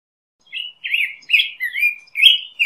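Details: Black-headed grosbeak delivering a series of warbled, robin-like phrases, each slurred note dipping and rising, about six notes after a brief pause, clean recording.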